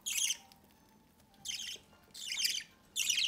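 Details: Budgerigar chick fed by its parents from the nest door: four loud, coarse, scratchy begging bursts, each about a third of a second, with gaps of up to a second between them.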